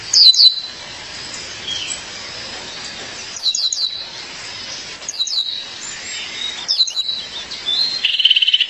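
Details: Female Violaceous Euphonia calling her mate: clusters of high, thin, quickly descending chirps come in bursts about every one and a half seconds, with softer twittering notes between them and a short buzzy phrase near the end.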